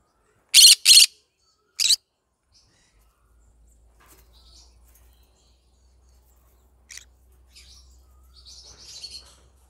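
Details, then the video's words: A yellow-sided green-cheeked conure gives two loud, harsh squawks back to back and a third a second later. Then it stays mostly quiet, with faint soft chirps and a low hum. "Yellow Sided green conure singing sounds"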